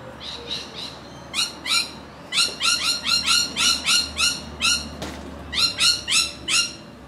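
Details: Australian rainbow lorikeets screeching in rapid, rhythmic series of harsh, buzzy notes, about three each second, with a brief click midway.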